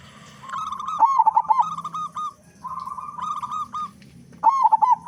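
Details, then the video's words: Vigorous local zebra dove with a big voice, used to set other doves singing: long runs of steady level coos framed by louder, quavering rolled bursts at the start and end. "Perkutut Lokal Gacor Suara Besar Pancingan Burung Perkutut Agar Cepat Bunyi"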